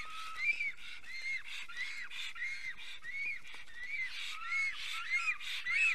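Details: Black stork pair arriving at the nest in Estonia, 25 June 2020, afternoon, singing together; softer, more distant run of arched whistled notes with lower paired tones beneath, repeating steadily about every two-thirds of a second.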